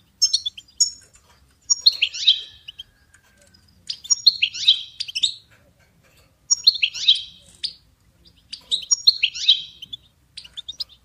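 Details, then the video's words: European goldfinch singing for songbird training, repeating a short twittering phrase about every two and a half seconds: sharp high chirps running into a buzzy, tumbling trill, on a quiet background. "Goldfinch ringtones for hunting and high motivation"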